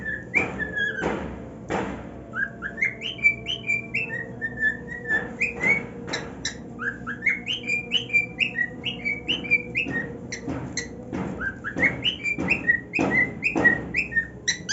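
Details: Happy male pet cockatiel on his new nest delivers a long, lively warbling song of whistled slides and sharp clicks, repeated rapidly with brief pauses, over a steady low hum.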